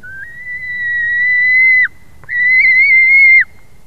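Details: White-tailed eagle on 21 July 2019 at 22:10: two long, pure whistled notes, each steady and almost level for well over a second, ending in a sharp downward flick, against a quiet background.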